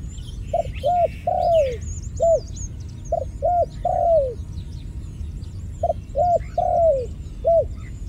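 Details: Three even phrases of dove cooing, about two seconds apart. Each has two brief low notes, a longer falling coo, and a final short note, set against soft high twittering from other birds.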